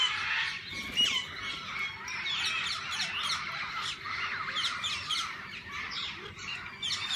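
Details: Parakeets of different kinds in a zoo's walk-in aviary chatter continuously: a thick layer of bright, warbling chirps and short squeaks from many birds at once, steady throughout with no pauses.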